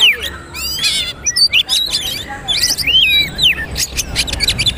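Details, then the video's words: Tutoring recording of magpie-robin song meant for speckled juveniles: bright whistled phrases, quick upward sweeps and scratchy bursts in irregular short bursts. "Masteran Kacer/Poci trotol agar ikut bunyi terbaru"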